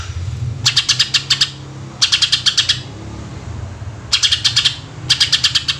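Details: Greater green leafbird singing "tembakan" bursts to lure other birds: four evenly spaced volleys of six to eight crisp, metallic chips, each lasting under a second, over a persistent low rumble.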